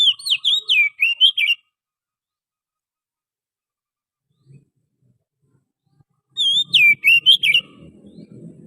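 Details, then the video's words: Oriental magpie-robin lure song from the wild forest: two bursts of rich, clear whistled phrases with rapid slurred and rising notes, each about a second long, separated by a long silence, with faint background rustle at the end. "suara pikat burung Kacer asli hutan,suara pancingan kacer"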